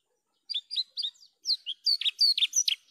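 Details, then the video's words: Javan bush lark song opening with soft paired chirps that build into louder, buzzy, downslurred notes, rapid and somewhat varied, in a quiet setting. "PANCINGAN/MASTERAN JERNIH BRANJANGAN GACOR...."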